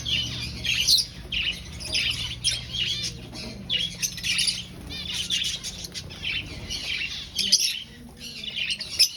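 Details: Aviary finches in a breeding colony, looking for a nest, fill the air with dense high chirps and squeaky notes in overlapping bursts about every half second, with a faint low hum underneath.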